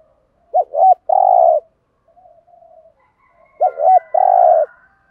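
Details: Lowland-type spotted dove giving a prodding coo used to provoke wild males. Two phrases appear, each a short double note followed by a long, level, mellow coo, with faint soft murmuring between them in otherwise clean sound.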